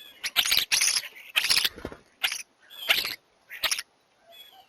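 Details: A flock of European starlings fighting each other for a spot at a bird feeder, squabbling with harsh, rasping, high-pitched screeches in about six short bursts, some overlapping, with brief quiet gaps between.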